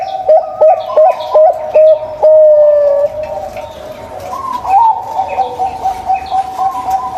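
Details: Local zebra dove singing, used as a lure to prompt a silent zebra dove to sing: a run of short, clipped cooing notes, then a longer drawn-out coo and a rising, wavering phrase. Faint chirps from other birds sound behind it.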